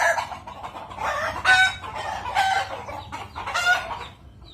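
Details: Kukuak Balenggek rooster, a Minangkabau 'singing' chicken prized for a melodious, stacked and tiered crow of at least four syllables; several harmonic crow syllables rise and fall in sequence over four seconds above steady background noise.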